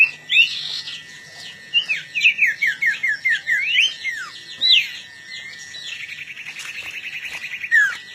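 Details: Long-tailed shrike, kept for contests, singing before a fight: a series of slurred descending whistles repeated several times a second, then a harsh buzzy rattle near the end over a constant tonal hum.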